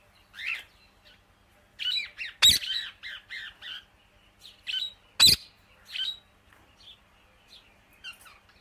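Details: Indian ringneck parakeet chattering: an uneven series of short, harsh chirps and squawks, some in quick clusters, broken by two loud sharp clicks, then fading to faint scattered notes.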